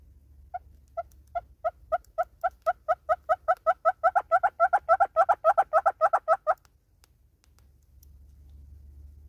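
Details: Southern red-billed hornbill singing in South Africa: a run of hollow clucks that starts with slow single notes, then speeds up and grows louder into emphatic doubled notes, about thirty in six seconds before stopping abruptly, over a faint low rumble.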